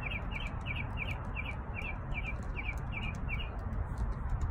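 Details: A backyard bird repeats quick, high double chirps about twice a second, steady throughout, over a constant low rumble.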